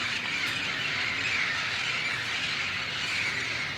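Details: Hundreds of parrots gathering at sunset in Glendale, California, on 13 January 2015, forming a dense continuous wall of overlapping squawks and shrieks, with a low traffic rumble beneath.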